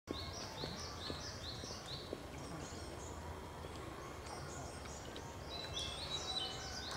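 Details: A distant blue-and-white flycatcher, the season's first encounter, sings clear, high whistled notes in quick, overlapping phrases over a steady background hiss of outdoor noise.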